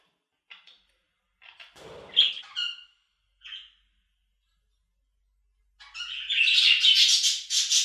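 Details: Pet budgerigar giving a few scattered squeaky chirps and a short buzzy squawk, then a long, loud, dense run of rapid scratchy warbling chatter.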